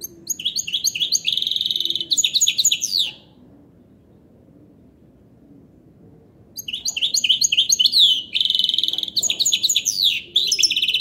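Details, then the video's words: ['Goldfinch hybrid in full song: long, dense, tinkling phrases mixing rapid buzzy trills and sharp, twittering notes, broken by a pause of about three seconds before singing resumes.'] "تغريد الحسون بصوت الهجين"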